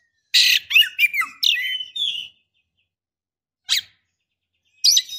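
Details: Female white-rumped shama calling for a male while in breeding condition: a quick jumble of scratchy notes and falling whistles over two seconds, then a long silence broken by two single harsh chips.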